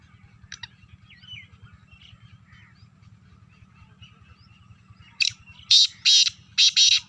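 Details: Black francolin in Sindh, Pakistan: after faint scattered chirps, four loud, harsh, grating bursts arrive in quick succession near the end. A steady low engine-like hum runs throughout.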